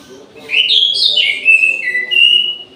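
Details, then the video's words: Orange-headed thrush in an aviary at midday, giving a loud, varied whistled phrase: rising and falling clear notes run together, then a lower dip and a final level whistle, across about two seconds. "ANIS MERAH GACOR DI SIANG HARI"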